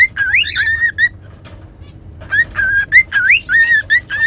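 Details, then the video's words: Cockatiels kept as pets singing in a whistling training session; looping, bending whistles with up-and-down slides, a pause in the middle, then a quicker run of short whistled notes. "Cute Cockatiels Whistling & Singing"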